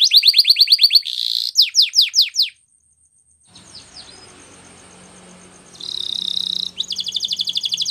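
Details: Canary singing a training song: quick repeated falling notes and a buzzy burst, a brief silence, then faint soft notes over low hum before a buzzy trill and renewed rapid descending notes.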